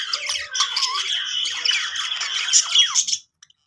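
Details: Budgies chattering happily in a steady, scratchy warble with squeaky rising notes for about three seconds, then stopping abruptly into near silence.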